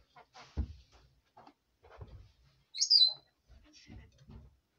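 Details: Captive female red lorikeet muttering at bedtime: low soft grumbles and clicks, broken by one loud, piercing high squeak near the middle, then more quiet murmuring.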